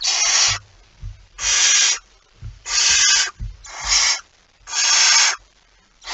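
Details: Near midnight on 23 September 2019, a barn owl at the nest with mouse prey gives five coarse, rasping, wide-band hisses, each lasting over half a second, spaced about a second apart, with low bumping noises between them.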